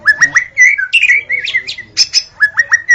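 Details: White-rumped shama singing at dawn, used for luring shamas: rapid varied whistled phrases, rising slurred notes and sharp high accents, repeated short motifs in quick succession, with faint low rumble beneath.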